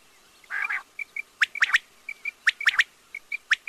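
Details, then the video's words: Quail repeating three-note bursts of short, piercing notes about once a second, with softer paired chirps between them and one rough, buzzy call at the start. "batair ki awaz|quail sounds"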